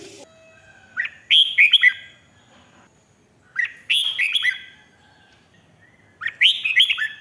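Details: Red-whiskered bulbul from Thailand, played to excite other birds: three short bursts of bright, bubbling whistled phrases with quick up-and-down notes, each about a second long and spaced roughly every two and a half seconds.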